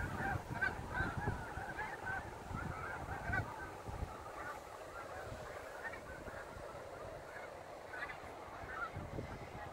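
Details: Fall 2017, Saint Lawrence River at sunset: snow geese dropping in to land, their clamour of rapid, overlapping yelping honks loudest early on and easing slightly, with wind gusts below.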